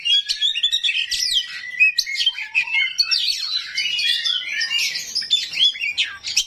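An oriental magpie-robin pours out a fast, unbroken song of bright whistles, buzzy trills and harsh chattering notes, all high-pitched, with no other sounds.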